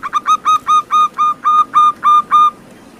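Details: Wild local zebra dove singing, a recording meant to coax lazy captive birds into answering. A steady run of about eleven clear, ringing coos, each swooping up then flat. They come about four per second and stop abruptly, leaving faint background hiss.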